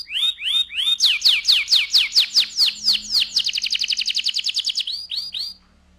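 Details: AF canary singing loudly in a rolling style: rising whistled notes repeated quickly, then a long fast buzzy roll of evenly spaced notes, ending with a few rising whistles.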